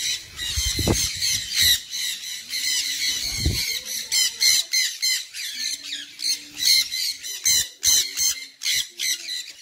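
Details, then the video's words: Sun conure giving loud, harsh, high-pitched screeching squawks in rapid bursts throughout, with a few low thumps and a faint hum beneath. "ببغاء صن كنيور"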